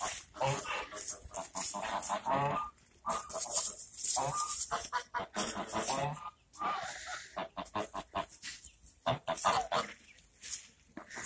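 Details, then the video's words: Talkative geese in noisy conversation, dense overlapping honks and harsh nasal cackles pouring out in long bursts with only short gaps between them. "Балакучі гуси) Talkative geese)"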